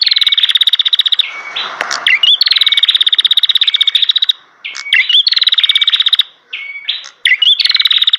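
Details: Bar-winged prinia in full song: long, rapid, buzzy pulsed trills lasting one to two seconds each, separated by short whistled and chipping notes, repeated four times with little pause.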